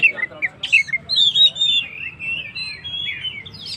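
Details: Oriental magpie-robin singing in its vocal gacor style, used to provoke and rouse stressed birds: a sweet, varied warble of whistled, slurred phrases, some rising and some falling, with a few sharp chirps near the start.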